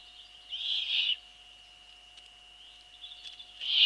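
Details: Eurasian eagle-owl at the nest on 28 April 2013 at 21:12, as the female brings a bird and starts feeding: two harsh, breathy hissing bursts about three seconds apart, over a steady electronic hum.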